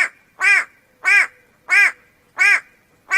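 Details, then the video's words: Repeated harsh, nasal, drawn-out calls of a White-bellied go-away-bird, five loud bleating notes at a steady pace of about one every 0.65 seconds. "The extremely annoying sound of the White - bellied go away- bird"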